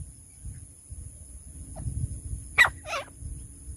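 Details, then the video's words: A francolin in bushland, possibly a female's voice, gives two harsh, rasping bursts close together near the end after a faint earlier note; a low rumble and a steady high hiss run throughout. "झाड़ी में रहने वालों तीतर शिकार करने की साउंड।"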